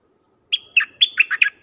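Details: Dok taeng bird kept as a decoy, singing to call in wild birds: a quick run of five bright, clear whistled notes, the first drawn out and the rest short, sliding chirps bunched within about a second.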